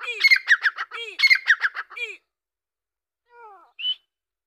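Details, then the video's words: Dakni (Deccani) grey francolin giving two bursts of loud, harsh, rhythmic calling, each a rapid string of grating notes. After a pause come a soft falling note and a brief high chirp. "دکنی تیترکی آواز"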